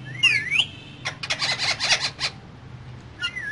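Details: Two caged green parrots talk: crossing whistled slides open the clip, then a dense stretch of rapid raspy chatter, with one upward-sweeping whistle at the end.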